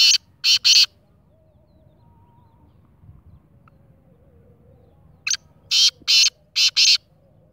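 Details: Black francolin, known locally as kala teetar, giving harsh, grating, buzzy notes: a burst of three loud rasping notes, a quiet pause of over four seconds, then a short note followed by four more rasping notes in quick rhythm.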